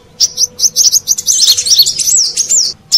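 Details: Brown-throated sunbird lure sound from Indonesia for attracting wild birds: after a short silence, a quick burst of high, squeaky chirps and warbled twitters, then a single final note.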